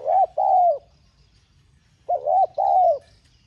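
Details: Spotted dove with 'giọng son' voice, urging call intended to make other doves coo: two phrases, each a short coo then a longer mellow falling one, about two seconds apart, on a quiet background.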